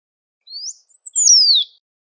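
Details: A great pampa finch sings in nature: a brief upslurred whistle, a pause, then a high note gliding into a long falling whistle; silence around the phrase.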